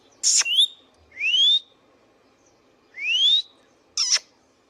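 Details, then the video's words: Pet Indian ringneck parakeet uttering a sharp squawk, two smooth upward-sliding whistles spaced about two seconds apart, then another harsh squawk, over a low constant hum. "Indian Ringneck parrot natural sounds | Ringneck parakeets sounds video"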